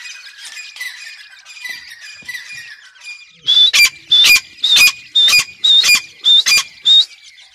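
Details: Chick of grey francolin during feeding: soft, wavering high twitters for three seconds, then seven loud, sharp squawks in quick regular succession, each with a short whistled edge.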